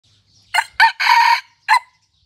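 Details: Red junglefowl decoy cock of the dark red Pradu colour, possibly a junglefowl hybrid, gives a brisk, clipped crow in four harsh bursts: two quick notes, a longer drawn middle note, then a short final note.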